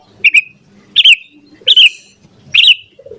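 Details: Sooty-headed bulbul in lively song, used as a prompt for training a bird to sing: four short bubbly double-noted chirps, each with a slurred tail, spaced under a second apart.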